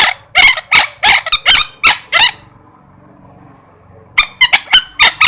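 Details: A parrot gives a fast series of rough, grating squawks, pauses for about two seconds, then resumes with more quick harsh cries.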